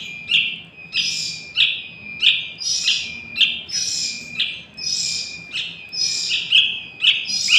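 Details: Young sooty-headed bulbul calling, used as a lure for catching wild birds: bright high chirps with buzzy, hissing edges, repeated roughly twice per second, over a steady thin high tone throughout.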